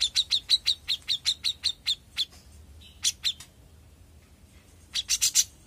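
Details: Young grey-cheeked bulbul in full voice: a quick run of a dozen clipped, high chirps, then a pause, a few scattered notes, and a short burst of brighter, higher chirps at the close.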